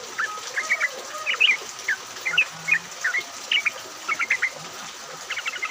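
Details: Bulbuls, yellow-vented, chattering together in the rain as a lure for other bulbuls: short rising and falling chirps in small clusters, with a rapid trill at the end, rain hiss behind.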